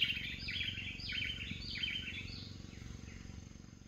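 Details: An adult male Silvered Antbird, recorded in Altamira in April 2024, gives bursts of sharp, high notes in quick stuttering runs about every half second, over a steady low rumbling hum.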